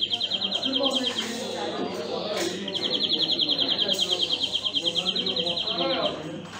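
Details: Greenfinch song with a rapid, buzzy trill at the start, then a sustained rolling trill of rattling repeated notes lasting more than three seconds, with human voices and background chatter underneath.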